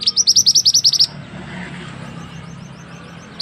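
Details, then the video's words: Recording of a mantenan bird for tutoring other birds: an opening one-second trill of fast, loud, high chips, then faint distant twitters over steady low noise, and a final sharp note. "burung mantenan yang handal untuk masteran"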